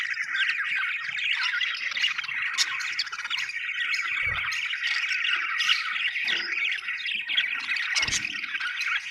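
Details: Budgerigars, described as happy, chirping continuously: a dense, busy chatter of warbling and squawky notes from several birds, with occasional low thumps.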